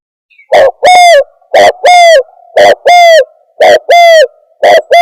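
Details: Spotted dove lure call for trapping: paired coos, a short note followed by a longer resonant one, repeated steadily about once a second, five pairs in a row.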